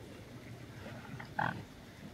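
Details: A Eurasian coot at Zbiljsko Lake, 6 October 2024, gives a single short, nasal, explosive 'kowk' over a steady low rumble of wind or distant traffic.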